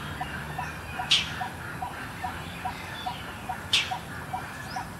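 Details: An Indochinese roller (Coracias affinis) in Suan Rot Fai park, Bangkok, Thailand, gives two harsh, rasping scolding bursts about two and a half seconds apart, calling while flying between prominent perches, over steady soft low ticking notes.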